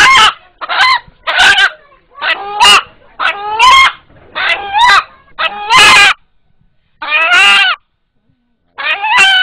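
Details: An eight-month-old pet rooster calls when frightened, a rapid series of about eight short, hoarse, ringing calls in under ten seconds, each slightly downward-slurred, likened by its owner and villagers to the word "Allah".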